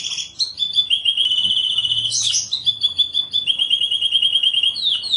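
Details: Canary song used as a master recording to train young birds: long steady trilled phrases at a constant pitch, a short burst of higher notes, then a long even trill ending in a falling slur.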